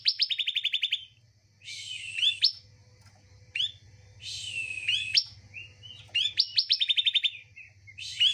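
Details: Bar-winged prinia, played to urge a quiet bird to sing: a rapid chipping series, then several harsh buzzy upswept phrases separated by pauses, one ending in another quick run of sharp notes.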